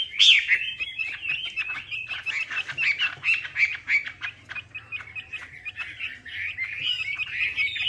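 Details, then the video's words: Melodious laughingthrush (Chinese hwamei) in a chatty song used as a lure: a dense, fast run of high whistled notes and buzzy chatter, somewhat noisy, with a faint low drone beneath. "PANCINGAN WAMBI MACET"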